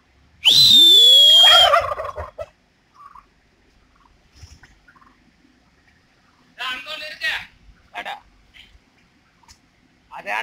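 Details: Courting male turkey displaying before females: a single strong gobble near the start, a high steady whistle above a quick gurgling rattle, followed by scattered softer clucks and rustles.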